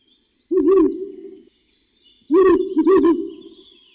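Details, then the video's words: Owl in the wild uttering two quavering, low hooted bursts, the second longer and doubled, separated by a short silence, with a faint high whistle in the background. "Як звучить сова в дикій природі"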